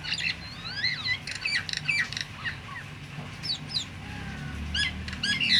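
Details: Myna sounds meant to stir silent mynas into calling: scattered harsh squawks mixed with slurred whistles and short sharp chips, spaced irregularly over steady low background noise.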